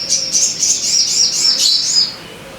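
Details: Crimson sunbird song played as a lure to make kept birds sing readily: a continuous stream of very high, sharp, rapidly repeated chirps, slightly rising and falling, over a faint steady low hum.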